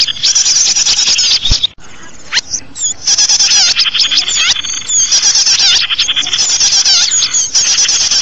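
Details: A high chorus of small birds used as a lure for small birds: chirps and trills crowd together, briefly thinning out after a sharp click before the dense twittering returns.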